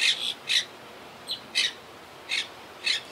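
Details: Monk parakeets, also called Quaker parakeets, calling in a wild colony high in the trees at a yacht club; loud harsh squawks spaced roughly half a second to a second apart, six bursts against a quiet background.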